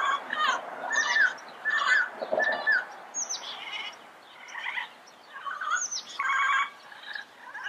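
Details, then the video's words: Yellow-headed parrots in their natural habitat: a mix of short squawks, rolling chatter and whistled notes, with several other birds adding high thin calls. "Yellow-Headed Parrot Sounds - Natural Bird Calls and Songs in the Wild"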